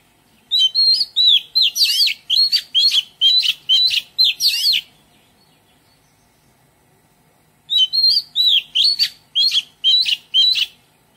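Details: Oriental magpie-robin singing in a garden: two bursts of loud, melodious whistled phrases with rapid rising and falling notes and sharp chirps, separated by a few seconds of quiet.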